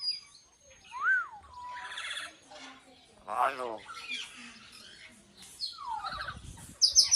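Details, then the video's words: Common hill myna said to speak the word "Allah", giving a varied run of sounds: sliding whistles, harsh buzzy bursts and speech-like syllables separated by short pauses, ending in a sharp high squeak. "Burung Beo Mengucap Alloh"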